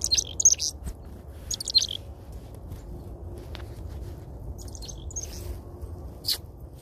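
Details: Several chickadees give high, thin chips and short twittering notes in scattered bursts while feeding from a hand, apparently communicating with each other, with a faint low rumble underneath.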